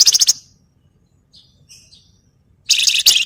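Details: Flamboyan singing as a training song for other birds: loud bursts of rapid, harsh rattling chatter at the start and end, with soft thin notes in the quiet gap.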